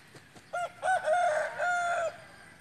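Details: Rooster crowing: two short clipped opening notes followed by a long, strained, harmonic-rich held note that wavers slightly before cutting off sharply, over a low background hiss.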